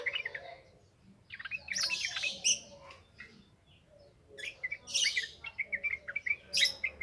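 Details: Yellow-vented bulbul lure song: two clusters of harsh chatter mixed with bubbly phrases, separated by a quieter gap, ending in a quick series of short chirps.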